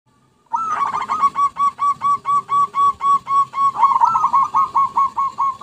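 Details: Zebra dove lure recording: a long unbroken run of about twenty rapid, staccato cooing notes at even pitch, each with a slight rising inflection, starting abruptly after a short silence.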